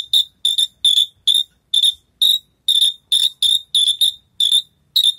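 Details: Javan bush lark that has just finished moulting, practising its songs: loud, buzzy, metallic chirps with rich overtones, repeated about twice a second in a steady series, each note brief and harsh, in a quiet setting.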